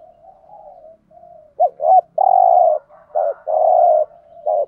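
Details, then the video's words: Decoy spotted dove, male and female birds, cooing to lure wild doves: low hollow coos, first soft and drawn out, then louder pulsing phrases with short rolling notes and longer steady coos, against a silent background. "tiếng chim cu cườm mồi gù thúc"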